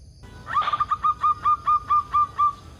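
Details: Local zebra dove, a lure to make other zebra doves sing: after a brief rough burst, a steady string of about ten soft cooing notes, evenly spaced and gradually spreading out.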